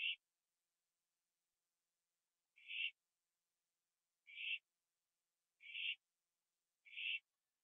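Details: At night on 21 September 2011, an owl on a porch eats a gopher. Five brief, raspy, breathy screeches arrive at irregular intervals over several seconds against a quiet background.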